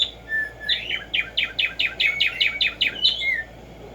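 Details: Song of the Black-striped sparrow (Tumba Yegua): an introductory whistle, then a rapid series of about ten sharp, downslurred chipping notes, roughly two per second at first and speeding slightly, ending in a slurred whistle.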